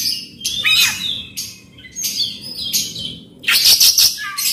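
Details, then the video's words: Kacer (Oriental magpie-robin) pouring out rough fill-in mimicry meant to set a silent bird singing: a string of scratchy high bursts ending in a rapid rattling trill and a short whistle. "Kacer gacor bongkar isian kasar PANCINGAN KACER AGAR NGEPLONG"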